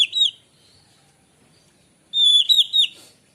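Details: Morning song of a white-rumped shama, used for luring birds: a sharp whistled note, a pause, then a rapid burst of clear, slurred whistles rising and falling at high pitch.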